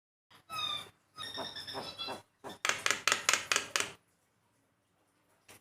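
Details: Javan myna used as a master recording to stimulate pet birds to sing: harsh, broadband chattering bursts with a few thin whistled notes, then a fast run of rasping notes and a short pause.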